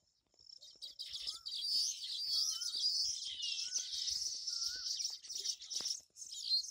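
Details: Many Baya weavers chattering at their nest tree, more than fifty nests, monsoon season: a loud wash of high buzzy twitters, with a separate short rising whistle repeated four times in the background.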